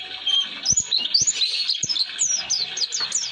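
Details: Oriental white-eye delivering its long 'roll durasi' song for training songbirds: a quick series of high, downward-slurred chirps, tumbling closer together toward the end, with a few soft taps behind.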